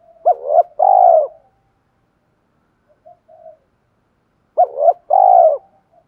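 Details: Spotted dove used as a lure bird, noted for its 'thổ' voice, gives two full coo phrases about four seconds apart. Each is a short stuttered double note and a long, steady coo, with soft notes between.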